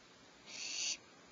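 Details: Owl at a nest cavity with owlets before dawn, 0447 hr PST, as the mother brings fresh prey: a single short harsh hissing screech, about half a second long, over quiet background.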